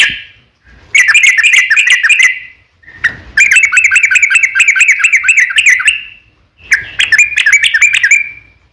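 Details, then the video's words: Trucukan (Yellow-vented Bulbul) in lively singing used as a lure to prompt answers; three bursts of fast, dense chattering notes, each lasting one to three seconds, separated by brief pauses and ending in a drawn-out note. "SUARA trucukan gacor ROPEL PANJANG"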